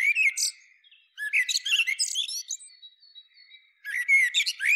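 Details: Melodious Common Blackbird strophes: warbled low notes run into dense high squeaks, with a faint thin whistle in a quiet gap before the next burst of song.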